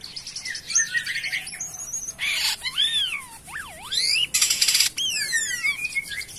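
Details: Jalak kapas (myna) singing actively, giving loud clear swooping whistles that rise and fall, long descending slurs, and harsh buzzy bursts between them.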